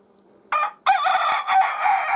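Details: Rooster crowing: a brief opening note, a short break, then a long, loud, strained, drawn-out cry with a wavering, harmonic-rich tone, cut off at the end.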